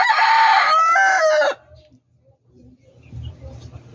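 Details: Rooster in a backyard poultry flock crowing once, a loud strained cry lasting about a second and a half, then quiet with faint low murmurs and scattered soft sounds.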